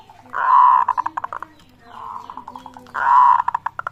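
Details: Zebra dove used as a singing lure, delivering two strong rolling coo phrases about 2.5 seconds apart, each a swelling note breaking into a quick series of short staccato pulses, with a quieter purring phrase between.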